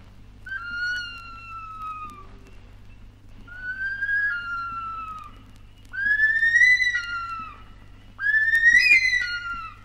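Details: Bush stone-curlew calling in Australia, an archival 1968 vinyl recording. Four drawn-out, mournful whistled wails about two seconds apart, each rising and then sliding down. The later wails are louder and more strained, the last breaking into a harsh, crackling edge.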